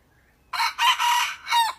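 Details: Practising decoy junglefowl from Thailand, kept for luring wild fowl, gives a full crow: a loud rasping opening, a long sustained middle section, then a short clipped final note, preceded by a faint thin call.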